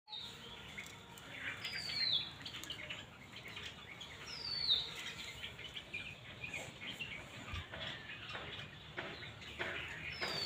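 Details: Chestnut-tailed starling (Sturnia malabarica) giving three brief, high, downslurred calls a few seconds apart over steady background hiss.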